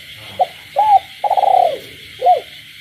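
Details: Spotted dove kept in a cage, cooing at night with frogs in the rural background: a brief note, an arched coo, a long throbbing coo sliding down, and a final arched coo; continuous high night chorus behind.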